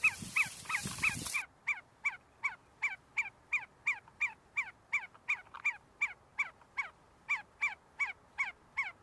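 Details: A group of see-see partridges feeding and fighting inside Sulaimani University, Kurdistan: after a short rustling burst of noise, a brisk regular series of crisp downslurred whistled notes, about three per second.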